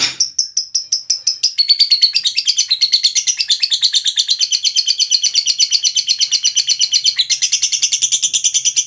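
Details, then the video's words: Lovebird in ngekek song, a long unbroken chatter of quick, high, buzzy chirps about three per second, gliding slightly lower midway and rising again toward the close. "Love Bird Ngekek"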